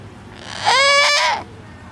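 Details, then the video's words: Pet cockatoo in a park imitating a crying baby, answering the infant's cries: a single drawn-out wailing cry, harmonic and slightly wavering, lasting under a second. "Parrot Geronimo Crying with Baby"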